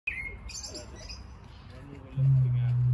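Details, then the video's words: At Birdworld, Surrey, a Victoria crowned pigeon gives a deep, humming boom near the end, after a brief high chirp from another bird and a quiet background. "Victoria crowned pigeon calling"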